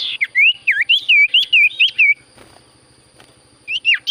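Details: Lively song of a kept Common Iora (sirtu cipoh): a fast run of looping, whistled notes that swoop down and up, then a pause and a few more rising whistles at the end.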